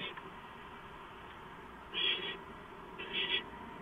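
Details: Barn owl at the nest during a late-night gopher delivery, 2 April 2015: two grating, hissy screeches about a second apart, the second slightly broken, over steady background noise.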